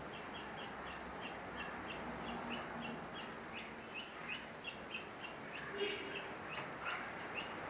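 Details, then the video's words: A bulbul gives a run of short, harsh, chattering notes, about three a second, over a steady background hiss; described as among the most unattractive noises made by any bird. "Bulbul 'the most unattractive noises made by any bird'"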